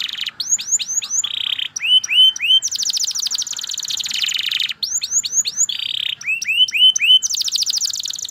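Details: Canary song mixing upward-curving whistled notes in short runs, steady buzzy tones and rapid high trills, the phrases repeating in a varied cycle.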